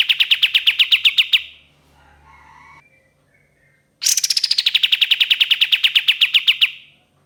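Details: Ashy tailorbird singing a long 'tembakan' burst used as a lure: a fast, even series of sharp, clipped notes around the mid-high range, a pause with faint rustling, then a second burst that starts higher and slides down.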